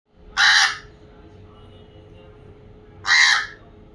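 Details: Pet African grey parrot imitating a crow: two harsh, rasping caws about two and a half seconds apart, with a faint steady indoor hum between them.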